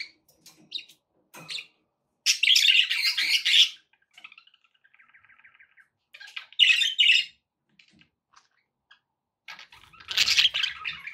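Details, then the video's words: Captive budgies give intermittent bursts of harsh, buzzy warbling chatter, each lasting about a second, between quieter faint chirps and a soft, thin trilled note, in a quiet indoor setting. "relaxing budgie sounds"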